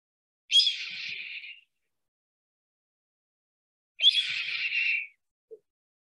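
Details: Red-tailed Hawk, a soaring hawk of central Alabama: two harsh, hoarse, shrieking screams about three seconds apart, each a drawn-out descending 'kee-eeeer' lasting just over a second, with nothing else audible.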